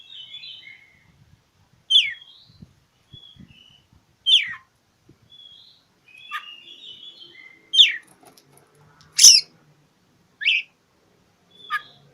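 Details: Oriental magpie-robin singing to challenge a rival: soft whistled warbles alternate with loud, sharp downward-swept notes about every one to two seconds, with a faint low rumble beneath.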